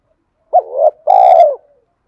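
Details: A single spotted dove phrase meant to provoke wild birds: one short hoot sliding into a wavering note, then a longer, full, slowly falling coo, in a quiet background.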